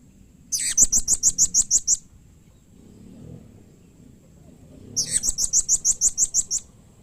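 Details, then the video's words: Two long runs of shrill, rapidly repeated high notes, about ten each, separated by a pause, given by a blue-crowned hanging parrot using a call said to make other hanging parrots respond. "SUARA Serindit Seperti Ini Paling Di Sukai & Cepat Di Respon Bikin Nyaut Semua Burung Serindit"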